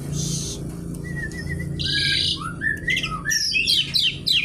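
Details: Kretekan-style singing by a Javan pied starling: a harsh burst, level whistled notes, then a quickening series of rising squeals and crackling chatter, over a low hum.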